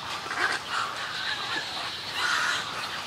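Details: Snowy egrets at a colony give nasal, drawn-out squawks: two early in the clip, then a longer, louder one near the end, over a continuous rasping chatter.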